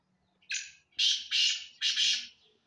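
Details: Loud, harsh grating phrases from a black francolin: a short opening note, then three rough, drawn-out bursts in quick succession, with near silence behind.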